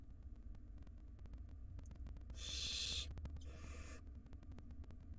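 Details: ['Wild barn owl nestlings in a monitored nest box while their mother feeds them a rodent; two long, harsh, breathy hisses, the first louder, over a low steady hum with faint clicks.']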